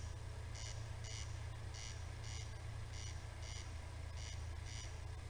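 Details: At night, a corn crake's dry, rasping double note, crex-crex, repeats about every 1.2 seconds over a steady low rumble.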